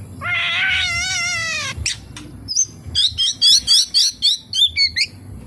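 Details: Singing oriental magpie-robin filled with kapas tembak imitations opens with a long mewing, harmonic wavering note, then a rapid evenly spaced series of sharp whistled chips.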